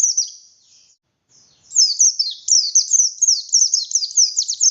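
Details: Oriental white-eye of the buxtoni race in energetic song. A faint high trailing note and a short silence lead into a dense, fast run of sharp, descending, twittering chirps.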